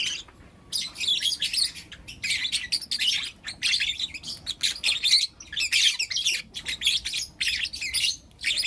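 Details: Four young lutino lovebirds kept as pets chirp in the morning, pouring out grating, high squeaky notes in long noisy runs with a few sharp whistled accents.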